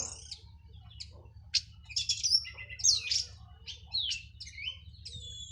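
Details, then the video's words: Loud, open-voiced orange-headed thrush, a local Cililin bird finished moulting, delivering teler song: scattered bursts of bright whistled notes and quick down-slurred chirps, irregular phrasing, over a steady low electrical hum. "KICAU ANIS MERAH PLONG + TELER LOKAL CILILIN BERES MABUNG"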